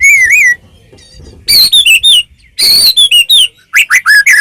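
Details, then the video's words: Full song of a Medan white-rumped shama used to provoke caged birds to sing: a wavering pure whistle opens, followed by loud, ringing, downslurred whistles mixed with harsh bursts and quick upward flicks. "murai batu gacor ngeplong PANCINGAN murai batu agar bunyi jadikan burung murai gacor EMOSI NYAUT"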